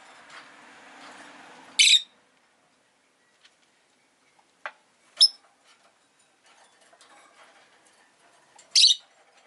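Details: Rosy-faced lovebird giving three loud, piercing high chirps spaced a few seconds apart, with faint soft chatter and quiet background hum at the start and long silent gaps between calls.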